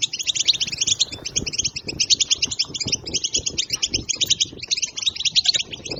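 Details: Batbata song of a European goldfinch, used to stir up other goldfinches: continuous fast tinkling twitter of clipped, high notes and buzzy trills, unbroken for the whole stretch, over soft low background noise.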